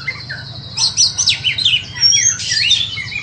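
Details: White-rumped shama, a bird offered for sale, singing a rushed, scratchy phrase of squeaky notes and thin high whistles, preceded by a few soft low chirps.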